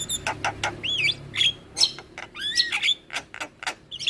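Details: Javan myna lure song with mimicry-style fill-ins meant to prompt answers from other starlings: sharp clicks mixed with looping, wavering whistles and upslurred notes in quick succession.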